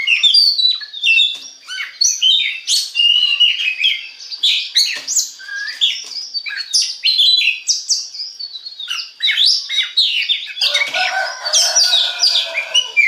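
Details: Oriental magpie-robin, locally kacer, sings to stimulate others: a long, dense stream of rapid chattering, clicks, whistles and scratchy notes, turning harsher and broader toward the end.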